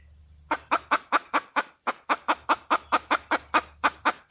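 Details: Hen red junglefowl clucking in a steady, rapid series, roughly two to three clucks a second, each short and harsh, with a faint low hum and a constant high whine behind.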